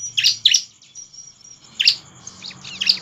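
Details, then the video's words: Bar-winged prinia lure song for triggering other prinias to sing: a few loud, piercing chirp pairs, a thin sustained whistle between them, over a low background hum. "Sudah puluhan CIBLEK Langsung bunyi dengar ciblek gacor ini || pancingan ciblek terbaik"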